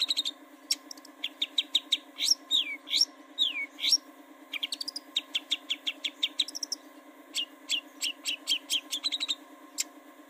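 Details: Long-tailed shrike song for luring birds into singing: bursts of rapid high chirps broken by a few swooping downslurred whistles, in uneven phrases separated by short pauses, over a low continuous hum.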